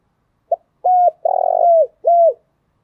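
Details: Spotted dove cooing, used to stimulate other doves into calling quickly: a short soft note, then a steady mellow coo, a longer throaty purring coo that falls away, and a final falling coo, all low and clean against silence.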